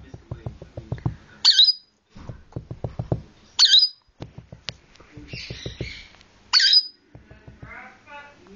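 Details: Several pet rainbow lorikeets, described as naughty, give three loud, harsh, high-pitched shrieks a few seconds apart, with softer scratchy chattering in between, over a steady run of rapid tapping or clicking sounds.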